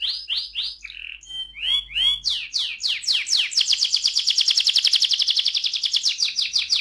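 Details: Canary rolling song used to prompt other canaries to sing, with curved whistled notes and slurs building into a long loud rapid rattling trill, faint low hum underneath.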